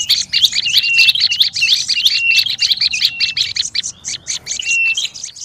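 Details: Agitated, noisy olive-backed tailorbird lure sound: a rapid stream of harsh chirps with level whistled notes woven through, easing briefly before a last whistled burst.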